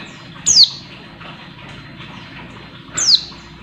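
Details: Oriental white-eye female calling to stir up males: two piercing, downward-slurred high notes about two and a half seconds apart, with faint background hiss.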